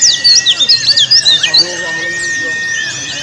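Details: Ngalas-style Oriental white-eye song meant to spur non-singing birds and provoke rivals: a fast burst of high, sharp chirped notes for about a second and a half, then softer twittering fading under a steady thin tone.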